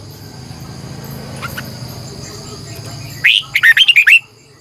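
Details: Morning song of a red-whiskered bulbul used as a decoy: a single brief phrase of five or six rapid, bright warbled notes after a quiet start, with a steady electrical hum throughout.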